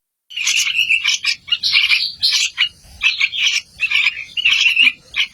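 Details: Yellow-vented bulbul chicks give begging calls: rapid, harsh, high-pitched, insistent chattering in short bursts, about two per second.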